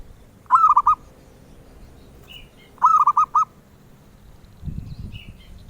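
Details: Zebra dove song prized by bird collectors: two bursts of low, rolling coos about two seconds apart, each with four or five short hollow notes, and a soft low rumble near the end.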